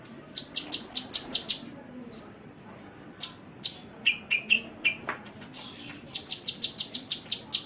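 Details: Sunbird song used as tutor material for cage birds: fast runs of high ticking notes, a bright whistled note, then descending chirps and another rapid ticking burst.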